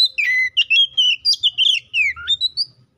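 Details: Oriental magpie-robin (kacer) in 'gacor ngeplong' rival-calling song, a lure to get another kacer singing: a rapid run of loud varied whistles, slurred up and down, ending in a rising whistle.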